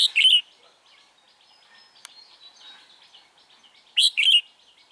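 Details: Red-whiskered bulbul of the Mí lửa type, a decoy bird singing during trapping on 28 February 2017 to lure and fight wild birds; two short, loud, warbled phrases open and close the clip, with faint chirps and a sharp click between.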